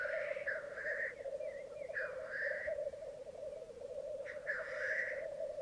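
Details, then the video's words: Black grouse lekking on a bog at Mykland on a May 2022 morning, twelve males and two females present; continuous low bubbling cooing chorus runs throughout, overlaid by loud hissing sneeze-like bursts, three of them, each about half a second long. "Orreleik i Mykland, mai 2022"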